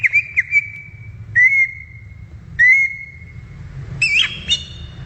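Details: In the wild, a greater green leafbird (cucak ijo) gives long, level whistles held for about a second, separated by short pauses, ending in a quick twisting chirp with a faint low hum beneath.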